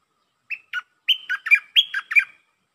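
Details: Red-whiskered bulbul singing a brisk phrase: two short introductory chirps, then two quick runs of three fluty, bubbling notes each, dipping and rising, in clean silence.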